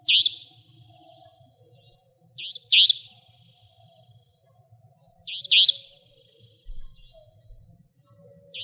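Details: A Savanna Nightjar, a nocturnal territorial bird recorded in Pingtung County, Taiwan, in 2014–2015, gives sharp, buzzy, high 'tcheep' calls every two to three seconds, sometimes doubled, over a faint low hum.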